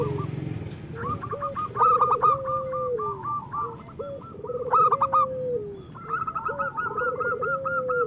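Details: Local zebra dove song meant to coax reluctant or moulting birds to sing: low burry trills, each rising into a held note, alternating with fast rolling coos higher up, in phrases repeated every few seconds.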